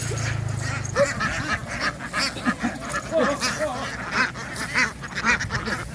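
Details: Many farm ducks crowding onto a boat after running ashore. Loud, nasal quacks rise and fall in quick overlapping bursts, some higher and squeakier, over a steady chattering flock background. A low hum fades out in the first second.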